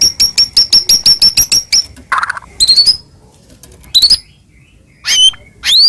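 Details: White-rumped shama song used as a morning lure for a pet shama: a quick series of high piping notes, a brief lower burst, then isolated sharp rising whistles separated by silence.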